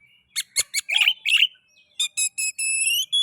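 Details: An Oriental magpie-robin (kacer) sings to stimulate rival magpie-robins: sharp clipped notes and rasping phrases followed by a string of pure whistled notes rising toward the end.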